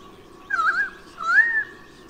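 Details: White-bellied sea eagle giving two drawn-out, wavering, mewing calls about half a second apart over a low hum; Sydney, Australia, 16 Oct 2018, parents chasing off intruders while young E21 is absent from the nest.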